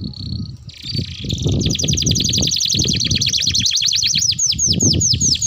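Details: Canary performing a long roll meant as a lure and tutor song for young canaries: a buzzy high note, then a fast rattling trill becoming swooping whistles, over noticeable low-pitched background noise.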